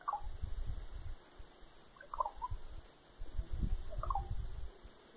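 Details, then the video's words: Common raven in a tree in Fox, Alaska, on 7 April 2020, gives soft, liquid, droplet-like trilling notes about every two seconds over low rumble while another raven takes apart an old hornet's nest; a locally common call. "Raven making soft musical sounds"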